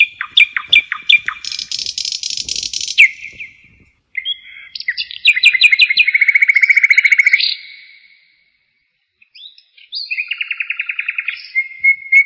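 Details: A common nightingale singing on a spring evening beneath ancient monastery walls gives rich, varied phrases of repeated notes, buzzy rattles and fast trills.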